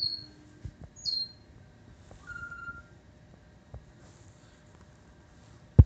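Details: Pet African grey parrot giving a few sparse whistles: two high falling notes, then a longer level whistle, followed by quiet and a sharp knock at the end.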